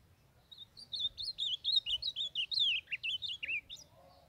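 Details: Northeastern Brazilian blue-black grosbeak singing a rapid warbled phrase of slurred, rising and falling whistled notes, about a dozen in under three seconds, used for training and warming up other birds; faint low background hum.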